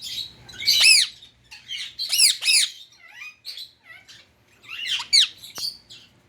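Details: Loud, grating squawks from a pet Indian ringneck parakeet, given in clusters of two or three harsh notes, with quieter squeaky chatter in between.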